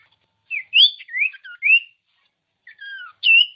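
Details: Common iora song for prompting birds to sing: several short slurred whistles, rising and falling, in a loose sequence, a pause, then thin drawn whistles and a bright upswept note.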